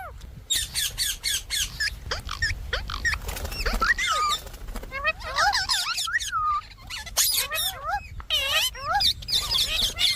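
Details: Pet Indian parrot giving a string of squeaky, bending screeches and chattering notes, some looping up and down, mixed with scattered clicks and low rumbling background noise over about ten seconds.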